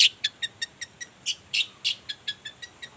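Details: Morning lure song of a long-tailed shrike, meant to prompt silent shrikes to reply: a steady run of short, sharp, high ticking notes roughly every fifth of a second, a few louder buzzy ones in the middle.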